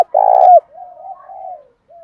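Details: Single long spotted dove coo from a 'bài bản bổi' song, meant to stir a captive dove to coo. It falls off at the end and trails into a soft, quieter murmured note.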